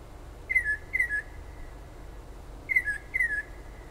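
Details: Unknown bird outside a kitchen window in south-central New Jersey, singing late at night and early morning; two pairs of short falling whistles separated by a pause, with persistent low hum behind.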